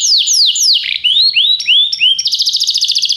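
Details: Canary singing a varied phrase: down-slurred whistles, then upward-curving whistled notes repeated about three times a second, finishing in a quick rolling trill.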